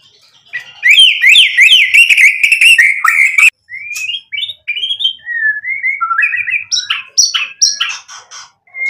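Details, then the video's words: White-rumped shama singing energetically as a lure to spark answering song and display its full repertoire: rapid zigzag whistled trills, then a string of clear rising and falling whistles, sharp notes, and short buzzy phrases. "MURAI BATU GACOR buat PANCINGAN agar BUNYI NYAUT emosi BONGKAR MATERI ISIAN | SHAMA BIRD"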